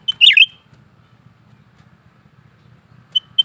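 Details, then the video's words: Lesser green leafbird kept in a cage, singing steadily: one loud sharp falling whistled burst, then quiet hum and two brief high notes at the end. "burung cucak ranting gacor terus menerus"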